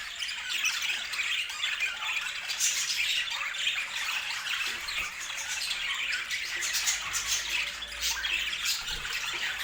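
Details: Budgerigars chattering together: a dense, unbroken wash of fast squawks, chirps and scratchy warbles from several birds, steady in loudness for the whole stretch, with no other sounds standing out.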